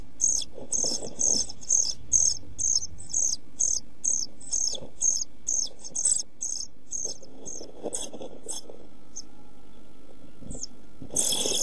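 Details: Pied flycatcher nestlings inside a nest box, filmed by a box camera on 27.6.2013 amid hot weather and scarce food, calling in a rapid run of high, sharp cheeps about twice a second, ending in a loud scraping burst over low hum.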